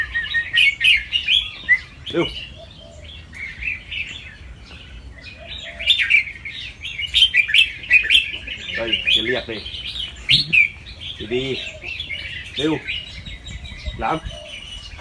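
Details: Fancy white albino red-eyed red-whiskered bulbul of a competition line in Chonburi, Thailand, practising its song: quick bursts of bright chirped notes, doubled and trilling phrases delivered rapidly, with people talking nearby between phrases.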